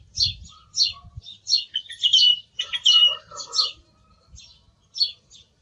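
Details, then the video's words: Song thrush delivering clusters of high squeaky notes, some repeated in pairs, with a faint lower warble from another bird and a low rumble at the start. "Sonido del Zorzal Comun - Sturz cantator - TURDUS PHILOMELOS"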